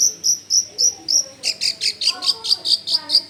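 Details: Long-tailed shrike singing as a lure to make other shrikes answer: evenly spaced high whistled notes, then a faster run of harsh repeated chips about five per second.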